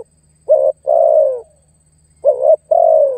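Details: Spotted dove luring and challenging a rival, giving two phrases, each a short clipped note followed by a long, mellow, downward-sliding coo, over a faint low hum.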